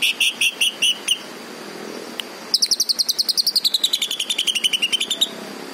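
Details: A green leafbird sings a few spaced, high notes, then a single click, then a long fast trill sliding steadily downward in pitch before stopping.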